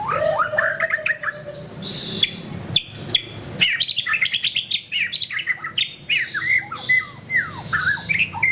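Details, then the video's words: White-rumped shama, known locally as murai batu, pouring out a rich, fast medley of whistles, trills and sharp chips, with hardly a break between phrases. "SUARA BURUNG : Pilih Murai Batu Gacor"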